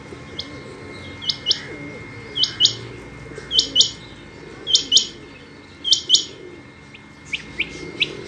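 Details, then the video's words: Female rain quail calling: sharp, high chirps, mostly in close pairs, repeated about once a second against a faint steady background hum. "Rain Quail Calling Hd"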